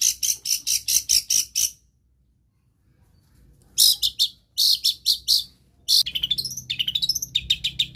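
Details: Long-tailed shrike song copying other birds: a run of rapid sharp high chips, a pause, another burst of chips, then a string of thin rising whistled slurs.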